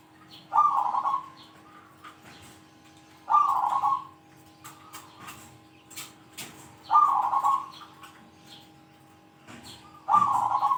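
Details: Zebra dove with a big 'kung' voice, calling out rivals, kept as a tutor bird. Resonant rolling coos, each under a second, about every three seconds, with faint clicks and ticks between them in a quiet indoor setting.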